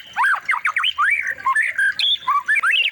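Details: Training song of a white-rumped shama, meant for tutoring other shamas: a rapid jumble of harsh, jagged squawky notes, sweeping up and down with short gaps between, loud and dense throughout.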